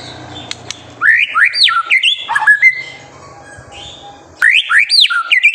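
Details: White-rumped shama in full song, a training recording meant to provoke young birds to sing: bursts of loud, fast whistled notes sweeping up and down, then a quiet gap before another rapid phrase.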